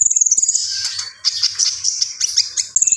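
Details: Gacor song of a common iora: a continuous very high rattling trill running into a dense jumble of sharp chattering notes, then the trill again, over a faint low hum.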